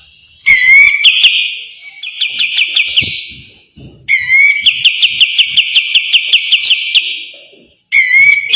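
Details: Sharp kapas tembak white-eye training song: three loud buzzy phrases, each a sustained high whistle overlaid with rapid evenly repeated chips, separated by brief quiet gaps.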